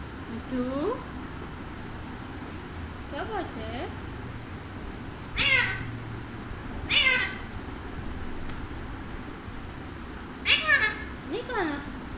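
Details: Pet Alexandrine parakeet chatting with its owner: harmonic, speech-like warbles mixed with three loud, harsh broadband squawks spaced a few seconds apart, while a person speaks to it in Hindi-Urdu in a quiet indoor setting.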